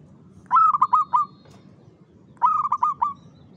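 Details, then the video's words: Caged zebra dove, known locally as perkutut, singing at five in the afternoon; two clear cooing phrases under two seconds apart, each a stuttering series of four or five notes, with little background noise. "SUARA BURUNG PERKUTUT GACOR IRAMA"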